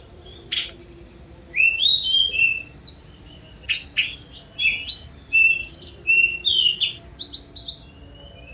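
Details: Fast, richly varied 'speed mewah' song of a Sunda robin: near-continuous high whistled phrases, swooping slurs and trills, with one short pause midway.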